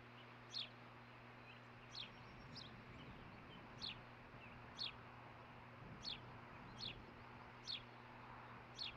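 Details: Early-morning osprey at a nest on 11 June 2015, looking for fish before one is caught. Roughly nine clear, shrill whistled chirps repeat about once a second above a constant low hum.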